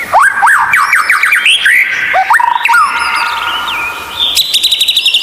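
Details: Unusual White-rumped shama training song for lazy captive birds: quick rising whistled strokes, then long level whistles and a high buzzy rattle near the end.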